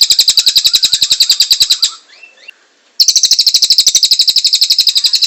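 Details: Gacor cililin used to train other songbirds; a fast series of harsh high pulses, a one-second gap with soft sliding notes, then another rapid chattering trill.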